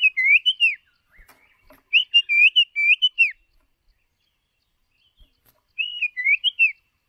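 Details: White-rumped shama decoy bird used to train other shamas' voices: clear, fluting whistled phrases of four or five looping notes, repeated in three bursts separated by short silences.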